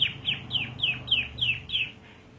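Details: Singing canary, part of a long rolling song: seven clear, high downslurred whistled notes repeated at a steady, brisk pace, then quiet.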